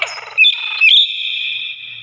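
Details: A common hill myna gives loud, clear, speech-like phrases, apparently mimicking a spoken greeting: a burst of harsh chatter, then a bright whistled note held steady for about a second.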